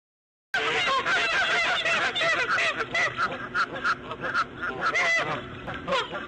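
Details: Bald eagle, a female laying her fifth egg at 8:40 in the morning on March 1, 2014. Dense, rapid series of high, harmonic chirping and squealing notes, overlapping and continuous for about six seconds, with a steady low hum beneath.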